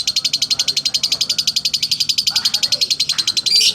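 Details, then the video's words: Slow ngekek from a lovebird, a fast, regular string of shrill high ticking notes that runs without pause, with a faint low voice underneath and a brighter squeak at the end. "Love bird slow ngekek"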